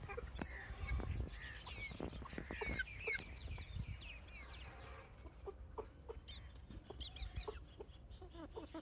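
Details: On a farm, baby chicks chirp in thin, high, descending peeps, densest in the first half, then sparser, mixed with low clucks and sharp clicks against a low background hum.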